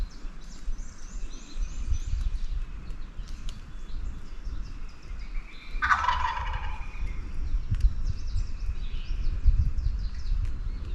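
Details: Wild Turkey tom gobbling off the roost at daylight on Virginia national forest public land: one distant, rolling, rattling gobble lasting under a second amid steady background hiss, with faint thin bird calls earlier.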